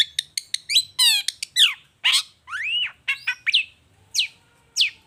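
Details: Long-tailed shrike in lure song, "gacor toet toet" style, aimed at getting other shrikes to respond: quick harsh chips, a ladder-like rasping squawk, arching whistles, then two spaced sharp notes.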